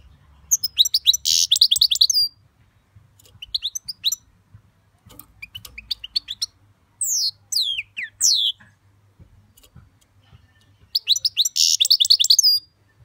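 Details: European goldfinch singing in several bursts of rapid, liquid twittering notes with sweeping whistles and a harsh buzzy element, separated by short pauses, over a faint low hum.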